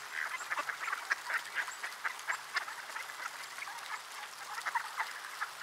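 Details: Numerous ducks heard on a cold December afternoon in Sainte-Adele, Quebec, Canada, air at -3°C; rapid, crowded quacking forms an unbroken murmur of brief harsh notes.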